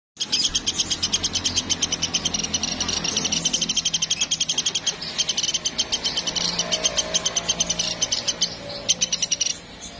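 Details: Platuk sampit woodpecker, calling actively, pours out a long rapid series of high, sharp notes. The notes are briefly denser and hoarser midway, then return to the quick rattling rhythm, with a faint low hum and rumble underneath.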